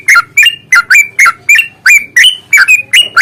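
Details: Yellow-vented bulbul fighting lure used to provoke singing: loud, bubbly, liquid whistled notes with quick up-down inflections, repeated rapidly about every third of a second.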